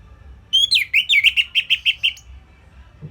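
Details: {'caption': 'Orange-headed thrush song used as a simple tutor recording for songbirds to copy: a bright whistled opening note, then a rapid run of about nine clear, evenly spaced slurred notes, each dipping and rising, with quiet low background hum.'}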